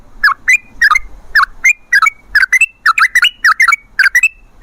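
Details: Sooty-headed bulbul singing as a lure for other bulbuls: a brisk series of short whistled notes with clicky edges, about three per second, some ending in brief level tails.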